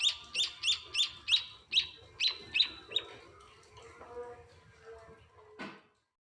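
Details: Munia chicks at a house give nine high, sharp chirps during hand-feeding. The calls then fade into quiet rustling and end with a click.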